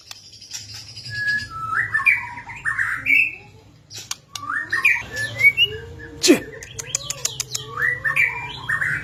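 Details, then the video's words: Shama song to encourage silent white-rumped shamas to sing: varied whistled phrases, rough squawks and a loud sharp snap midway, over a steady low hum. "suara murai mabok...cocok buat pancing birahi murai batu malas bunyi"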